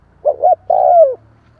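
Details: A single spotted dove phrase used to stimulate a newly caught bird: two short, soft hoots, a brief pause, then a longer, smooth coo that drops in pitch.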